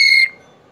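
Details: African grey parrot, a shy, talkative male kept indoors, calling for his friend: a single short, pure whistled note held steady for a quarter second, then quiet room tone.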